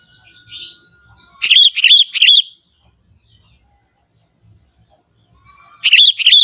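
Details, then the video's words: Young wild Sooty-headed Bulbul from the forest singing lively: two bursts of bubbly, warbled notes, a quick run of about four notes and then a shorter pair after a long quiet pause. "suara kutilang muda hutan gacor suara asli tanpa isian"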